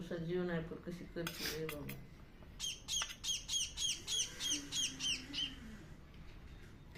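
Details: After a woman speaks in Marathi, a hungry, hand-fed bird breaks into a long, rhythmic string of about a dozen harsh, high, falling squawks.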